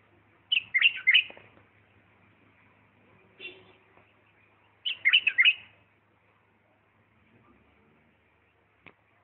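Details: Bulbul from Diyala singing in 'lisanat' style: two rich warbled phrases about four seconds apart, with a faint low hum and a softer note between them.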